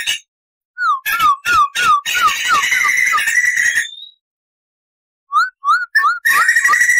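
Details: Crested laughingthrush song meant as a tutor recording: series of looping whistled notes, a brief rolling trill ending in a rising whistle, a pause, then more looped whistles and another trill.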